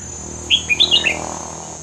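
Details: Red-whiskered bulbul performing the 'hua krok khayao khuat' song meant for training young birds: one quick phrase of about six clear, warbling whistles that rise and fall, with a steady thin whine behind.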